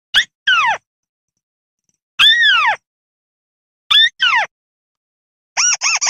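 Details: Crake from rice fields, locally called tikusan or cani, in a recording used as a lure: loud, clean downslurred harmonic notes, mostly in pairs, in bursts about two seconds apart, ending in a quick wavering triple note, with no background sounds.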